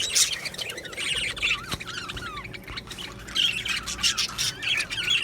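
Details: Happy budgies chattering; scratchy high warbles and squawks from several birds, with sliding, bending notes and a sharp click, louder clusters at the start and again toward the end.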